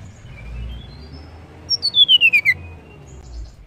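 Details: Female banded pitta calling to stimulate males: a quick falling series of about seven short, sharp notes dropping from high to lower pitch in under a second, over faint low background hum.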